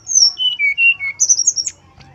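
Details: Brown-chested jungle flycatcher, male, gives a sweet song of pure whistled notes sliding down in pitch step by step, followed by a rippling string of very high, sharp notes.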